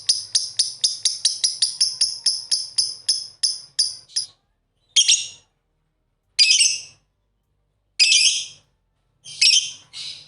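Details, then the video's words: Two affectionate pet lovebirds start with a quick run of short scratchy pulses that gradually slow and fade, then after a pause give four separate harsh chirps at intervals of roughly one to two seconds. "Lovebird Singing & Chirping Sound"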